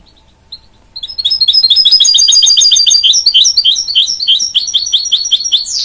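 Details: Mule bird, a goldfinch bred with a canary, giving a couple of lone chirps before launching into loud, fast, continuous twittering song with high tinkling notes and a closing sweeping whistle.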